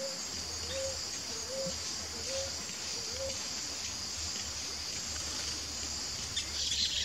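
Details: Ruddy Ground Dove pair, wild in Brazil: four low, soft rising coos in the first three seconds, then only a steady high insect drone continues.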